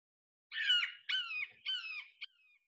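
Red-shouldered Hawk giving three high, harsh, down-slurred kee-ah screams about half a second apart, ending with a short clipped note.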